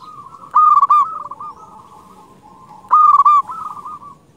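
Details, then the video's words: Local zebra dove in full song, used as a lure for wild doves: two loud, husky cooing phrases about two and a half seconds apart. Each has a sharp opening note and a rolling, stuttered coo, followed by softer trailing coos. "Perkutut lokal gacor Suara ini paling di sukai perkutut paling ampuh untuk pancingan"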